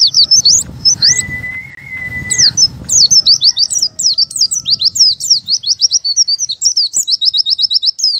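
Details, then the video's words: Oriental white-eye 'buka paruh' song, used to get birds singing: rapid high chattering bursts of sharp, sweeping chirps, broken by a steady, level whistle lasting about a second and a half, with a low rumbling background early on. "PLECI BUKA PARUH"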